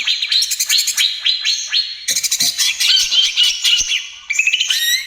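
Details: Greater green leafbird in vigorous 'trotol gacor' song, used as a lure and therapy for other birds: dense bright chattering phrases of rapid notes and short slurred whistles, a brief pause near two seconds, then a fresh burst.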